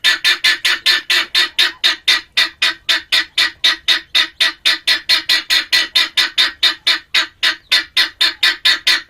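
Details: Male helmeted guineafowl gives a long, steady series of clipped, harsh cackling notes, roughly two per second, evenly paced throughout without pause.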